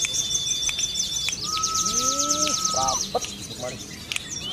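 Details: A contest-kept Sunda leafbird sings prinia-style material. A high sustained whistle gives way to a rapid ticking rattle, then to a lower held whistle and short upward-curving slurs. Brief clicks and background chatter are also heard.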